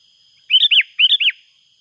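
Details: Loud, clear calling of a sooty-headed bulbul as a rival approaches: two identical quick phrases, each of three rich, slurred notes rising then falling, about half a second apart, against a quiet background.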